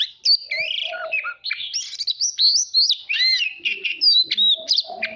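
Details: Voice-training song of a white-rumped shama, used to provoke competitive singing: quick clear whistles, looping slurred notes and crisp chips, roughly three per second, irregular in rhythm.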